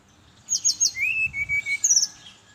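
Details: Morning song of a brown-chested jungle flycatcher, played to lure other birds of its kind: three quick high whistled notes, a lower steady whistle held nearly a second, then a burst of high twittering notes.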